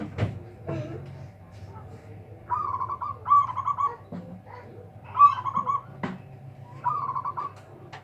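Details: Loud-voiced local zebra dove said to overpower rival birds, singing a series of rolling, trilled coos in short bursts. Sharp knocks and a low background hum are also heard.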